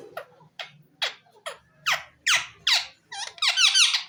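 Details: Green ring-necked parakeet kept as a talking pet: a run of short, squeaky, falling chirps, growing louder and faster into busy chatter, with low room hum beneath.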